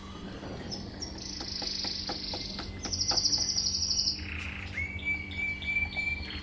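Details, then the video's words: Mosaic canary, a colour-mutation canary, singing a high bright song of sustained buzzy trills and rattles, followed by a long clear whistled note, with a faint steady low hum underneath. "canari mosaïque"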